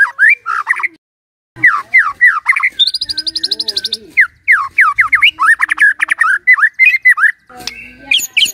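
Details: Energetic White-rumped shama song: bursts of slurred, whistled notes, a pause, then a rapid high buzzy trill followed by dense varied phrases and a few sharp rising notes at the end.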